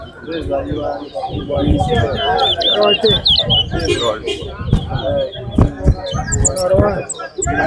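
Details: A large-billed seed finch (towa towa) sings rapid, rising and falling warbling whistled phrases almost continuously at a bird singing competition at Lusignan bird ground, over a busy crowd with voices, counting, clatter and other small birds chirping.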